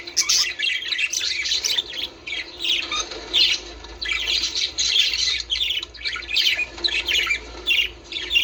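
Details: Budgerigar breeding-stimulation sound with harsh, raspy squawks and grating chatter coming in clumps about every half second to second, separated by brief softer dips.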